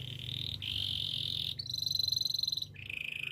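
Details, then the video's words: Canary song played for training canaries: long steady high rolls held for about a second and a half each, shifting between pitch levels, with a faint low hum underneath. "Canary birds sounds!! The best canary training song"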